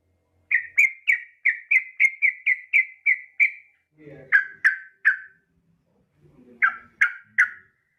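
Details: Yellow-vented bulbul female calling the male: a rapid even series of about twelve short chirps, followed by two groups of three louder falling notes, with a faint low rustle before each group.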